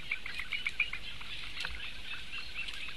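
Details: Eurasian bittern chicks, four young, begging for food on 16 May 2017; quick clicking pulses repeated several times a second above a dense, hissing high-pitched chatter, with faint low rumble.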